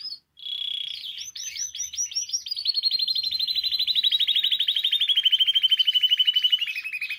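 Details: Canary song meant to stimulate other canaries into singing: opening whistled note and looping chirps, then a long rapid trill of regularly repeated notes that slowly drops in pitch.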